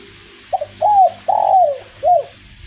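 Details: Spotted dove singing a 'kuk 1' style song in light drizzle: four clear, mellow coos, a short opening note, then longer rounded notes that bend downward, with faint rain hiss behind.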